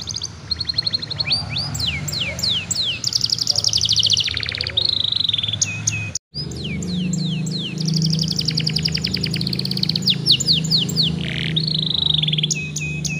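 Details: Young canary singing as a lure to stimulate other young canaries to sing: fast rattling trills, descending whistled sweeps and held high notes, with a brief cut midway and a steady low hum underneath.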